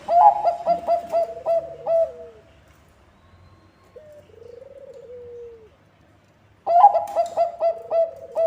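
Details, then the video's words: Bangkok-type zebra dove song used to lure other zebra doves: a series of short sharp clipped notes, then a long purring trilled coo, a quieter descending trill, and another run of staccato notes. "Bunyi Perkutut Bangkok ASLI Ampuh untuk Pancingan semua perkutut"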